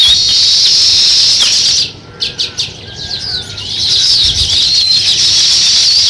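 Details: At a nest being started, sparrows give a steady high chirping chatter that breaks into a short gap with a few separate chirps, then resumes as a dense, continuous twittering.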